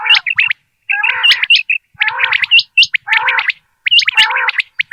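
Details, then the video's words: Common quail calling in the morning in bursts about once a second: sharp, clipped high notes over a harsher, gargling chatter, with near-silence between bursts. "Common Quail Sound 2025 صوت السمان واضح للصيد Batair Ki Awaz"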